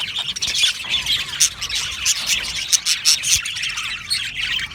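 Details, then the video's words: Colony of Australian budgies in an aviary, many birds chattering at once: high, busy twittering with scattered sharp squawks and clicky peaks standing out every second or so. "Australian Budgie parrot chirping sounds"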